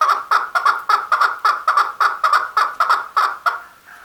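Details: Male chukar calling with loud, raspy chuck notes repeated about twice a second in an uneven rhythm, the series trailing off near the end.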